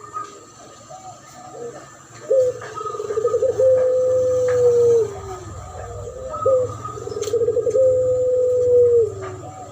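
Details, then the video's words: Spotted dove duetting with a puter pelung dove in a master lure recording meant to attract birds: two rounds of rapid trilled coos, each ending in a long sustained tone sliding lower, with softer rolling coos between and electrical hum. "Duet masteran pancingan burung puter pelung.model suara juara dan Derkuku"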